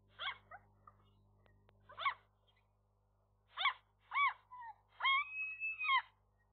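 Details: A young gull pair at the nest on 3 May 2023, around midday when the female laid their first egg, the male staying close. A few harsh, ragged calls open, then longer wailing notes that rise and fall, over a faint steady hum.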